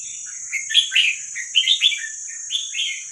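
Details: Young wild red-whiskered bulbuls from Vietnam, recorded as song for training young birds: bright chirped and warbled phrases in short bursts, over a constant high electrical whine.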